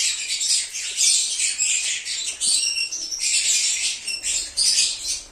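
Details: Lovebird cheeping and singing to attract an escaped bird back: a nonstop wall of shrill, scratchy, high twittering with sharp squeaky accents throughout.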